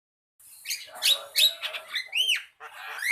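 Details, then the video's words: Javan myna singing: a jumble of harsh chattering notes and squeaky bursts, then clear arched whistles that rise and fall, with a final upward-sweeping whistle. "Jalak kebo kicau"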